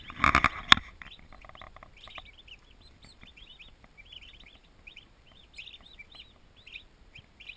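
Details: After a loud clatter at the start, twenty young turkey poults in a farm nursery peep softly with high upslurred chirps spaced through the rest.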